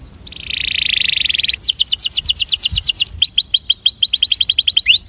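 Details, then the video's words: Breeding male canary singing to attract: a sustained buzzy roll, then rapid series of clear descending whistled notes, changing to shorter flicked notes and ending on a rising whistle. "Canário Reprodutor - Som de Atração"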